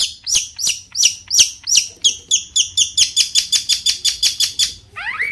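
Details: Long-tailed shrike singing its master variation to provoke rival shrikes: a steady train of high, down-slurred chirps, speeding to about four per second, ending with a lower rising whistle.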